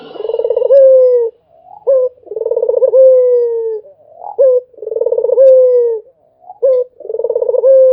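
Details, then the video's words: Barbary dove cooing on and on. Three full phrases of a sharp short note, a pulsing rolled coo and a long gently falling tone come at steady intervals in a quiet setting. "SUARA ANGGUNGAN BURUNG PUTER !! GACOR TIADA HENTI ll SUARA BURUNG PUTER MERDU"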